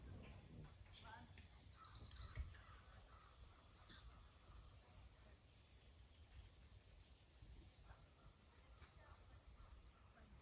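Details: A hummingbird at a feeder by the beach in Northern Nova Scotia gives a quick burst of very high, thin chittering notes over the low rumble of surf.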